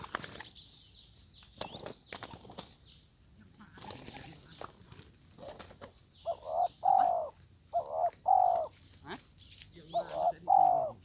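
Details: Spotted dove answering a decoy during trapping: after noisy rustling, clear low paired coos appear in the second half, a short note then a longer one, repeated three times against steady insect hum.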